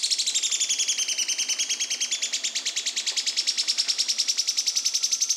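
A yellow-chinned spinetail gives a long, dry, rapid rattle of high, rasping notes. The rattle dips slightly in pitch, then rises again, with little else audible.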